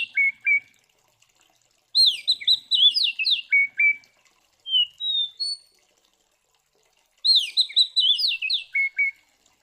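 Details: Oriental magpie-robin (kacer) in aggressive fighting song, used to stir rival magpie-robins: paired short whistles, two fast phrases of twisting, sweet notes, and a few thin rising whistles between them.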